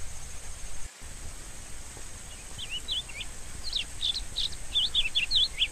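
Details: Rusty-collared seedeater delivering a series of sweet, wavering whistled notes, spaced at first then quickening into looping slurs in the second half, over a continuous hiss.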